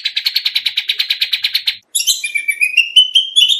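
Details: Oriental magpie-robin (kacer) training song for contests: opens with a fast, even series of about twenty clipped chips, then after a pause gives bright, sliding whistles that climb toward the end.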